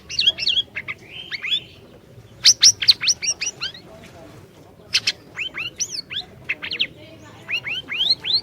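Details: Orange-bellied leafbird in full song, used to coax a quiet bird into singing: quick runs of rising whistled slurs and sharp high notes in several busy bursts with brief gaps.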